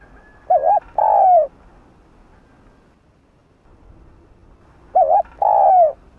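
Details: Cooing spotted dove used to provoke and attract other doves: two phrases about four seconds apart, each a short wavering note then a longer, slightly falling coo.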